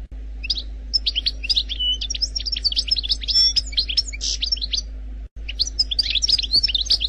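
A European goldfinch sings a fast, liquid stream of bright tinkling twitters and short buzzy notes, high-pitched and nearly continuous, with a brief pause near the end.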